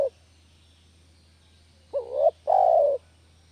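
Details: Spotted dove lure sound for trapping doves. After a clipped ending at the start, a single phrase follows: a short wavering note rising in pitch, then a longer, smooth, slightly descending coo, in quiet surroundings.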